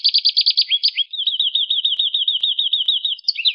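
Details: Lively rolling canary song: a quick burst of sharp clipped notes, a few rougher slurred notes, then a long smooth trill of wavering whistled notes, closing with a brighter upward flourish.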